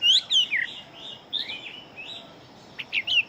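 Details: Chinese hwamei kept as a fighting bird, singing fast: loud whistled notes sliding down, a few separate phrases with gaps, and a steady faint high hum throughout.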